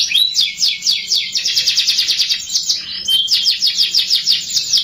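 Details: Canary lure song to get young canaries singing fast: a sweeping whistle opens a long even trill of rapid repeated notes, which breaks briefly at three seconds and resumes as a bright, rolling buzz.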